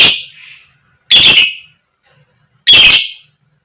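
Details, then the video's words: Female fighter lovebird's koek koek call, used to get other lovebirds singing: three piercing, grating shrieks, the first fading into a softer trailing note, each about one and a half seconds apart. "Pancingan Lovebird Betina Biar Cepat Gacor, Lb Koek Koek, Lovebird Chirping Sound"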